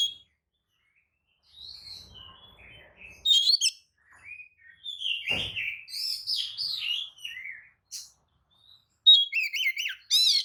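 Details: Oriental magpie-robin lure song: scattered quiet whistles and a sharp click, then a sweet descending warble, more whistles, and a loud, fast, wavering trill at the end.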